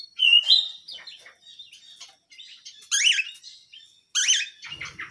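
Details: Small canary uttering scattered song notes: a clear whistled phrase at the start, then soft twitters and two loud, harsh, zigzagging bursts, with a brief low noise near the end.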